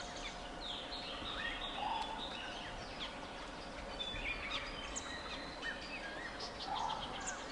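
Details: Many White-crested laughingthrushes in a flock chatter and cackle continuously, with bursts of squeaky whistles and a few low chuckling notes repeated at intervals, over steady background noise.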